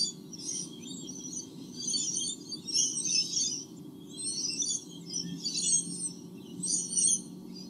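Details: Two white-bellied sea eagle chicks in their nest in Australia, 8 August 2015, recorded by a live nest camera; thin high chirping in bursts, repeated about every second, over a steady low hum.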